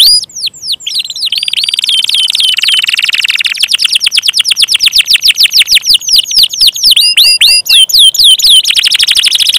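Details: Gacor canary song, opening with sweeping whistles, then long very fast trills of short notes, rising into high looping swoops before another rapid roll.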